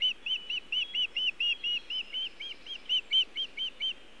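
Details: Osprey at the nest, recorded by a Montana nest camera on an early June 2017 evening while delivering nest material: a steady train of roughly seventeen ringing, slightly downslurred whistled notes, about four per second.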